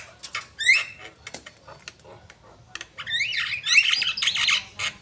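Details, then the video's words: Javan myna in energetic song: sparse clicks and a rising whistle, then a drawn-out, dense, buzzy, rasping phrase. "jalak kebo gacor"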